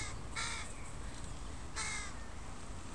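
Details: Crow family with young in a park, recorded on a Sunday: two harsh, raspy caws about one and a half seconds apart over a low rumble of background noise.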